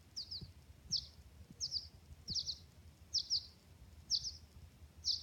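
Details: Young birds giving sharp, high double chirps at a steady pace of about one burst per second, with soft low knocks and quiet ambient noise beneath.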